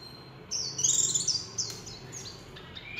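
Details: Líu chòe song of a warbling white-eye: a quick, high, twittering warble of slurred rising and falling notes, loudest early on, then fading into scattered chirps.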